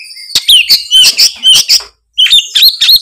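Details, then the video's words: Magpie-robin in loud, open 'ngeplong' song: ringing whistles and quick chirps rising and falling in pitch, then a brief pause and a fresh run of bright whistled notes. "suara kacer gacor full ngeplong"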